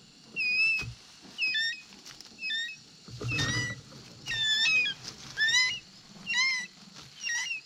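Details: An eaglet at the nest, excited as its mother brings back a toad, gives thin, high, wavering squeals about once a second, some rising then dropping, with a brief rustle and thump midway.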